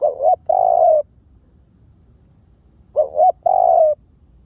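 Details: Spotted dove lure call repeated twice, about three seconds apart, each phrase two brief rising hoots and a longer, level coo tapering down, with faint low background hum.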